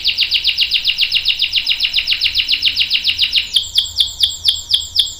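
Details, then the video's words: Canary long roll for training juvenile and adult canaries: a very fast, even trill of repeated notes, shifting into slower, broader downward-sweeping notes near the end. "KENARI GACOR NGEROL PANJANG bagus buat pancingan dan masteran kenari paud dan dewasa"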